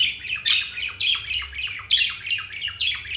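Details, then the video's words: Happy pet budgies chattering: a rapid stream of bright, scratchy chirps and short downward squawks, loud pulses coming about every half second. "Budgies happy moment"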